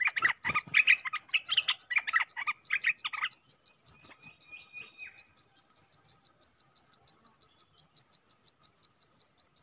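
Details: Rapid, busy run of chirpy whistled notes from a Red-whiskered bulbul for about three seconds, then only softer notes. A loud, steady pulsing insect chorus continues throughout.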